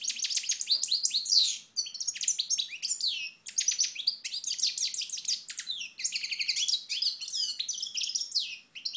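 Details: European goldfinch recorded in Moknine, Tunisia, in 2012, sunning itself: sustained rapid twittering, liquid chirps and buzzy trills in long unbroken phrases with brief pauses.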